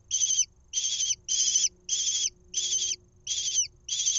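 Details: A Lesser kestrel nestling in a nest box in Israel, being fed a mouse on 1 June 2021, gives harsh, high, rasping calls of about half a second each, repeated every half second or so over a faint low hum.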